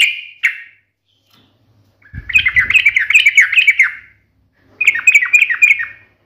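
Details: Yellow-vented bulbul singing in a sharp, combative 'ngalas' manner: one short chirp, a silence, then a long, fast, gurgling chatter of slurred notes, and after a pause a second bubbly phrase with faint thumps at the start.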